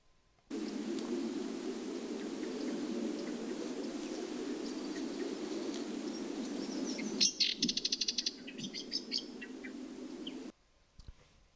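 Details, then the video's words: Bird song from the free-field data of the DCASE2018 bird audio detection challenge, an easy low-noise example: a fast burst of high clicking chirps, then scattered sharp notes, over a steady low background rumble. "in this example there's little noise and we can clearly hear the bird song"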